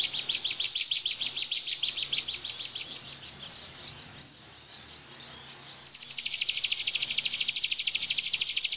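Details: Tembakan-style rapid song of a bar-winged prinia, played to train cage white-eyes. Quick repeated high chirps give way to a few sliding whistles, then an even faster, almost trilling burst of dense notes.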